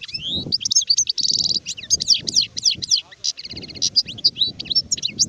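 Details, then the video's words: Adult European goldfinch (sharif) singing a fast, varied run of twittering notes, sweeping whistles and buzzy trills in rapid succession, with low background rumble. "تغريد حسون كهل (شارف)"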